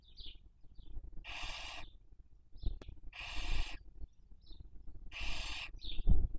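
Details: At a nest webcam in Spain's Cabañeros National Park, a barn owl raising young in the 2023 breeding season gives three long, harsh hisses about two seconds apart, separated by faint short chirps and low rumbling.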